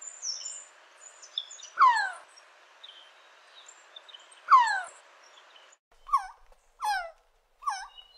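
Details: Resplendent quetzal giving harsh, falling notes with strong overtones, two spaced notes and then three quicker ones near the end, over a steady background hum and faint higher chirps.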